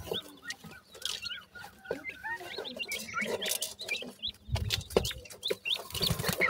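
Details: Grey francolin chicks give quick, high rising cheeps in irregular bursts, overlapping with one another, while rustling and knocking sounds break in, louder near the end.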